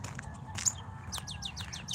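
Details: A shy Northern Cardinal in the morning gives a quick run of about six bright, down-slurred 'pew' whistles like a ray gun, several per second, over a low rumble of background noise.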